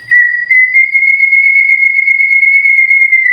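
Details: White-rumped shama tutor audio for silent birds: a single pure whistle held steadily at one pitch for about three seconds, rising very slightly.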